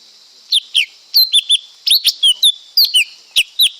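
A Lesser Green Leafbird sings quick, high, sweeping whistled notes, often paired, about two or three a second, over a steady high hiss.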